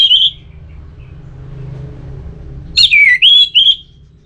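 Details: A single bright phrase of ngeplong song from an orange-headed thrush, intended to set a sluggish bird singing: a falling slurred whistle followed by two rising notes, after a brief opening whistle.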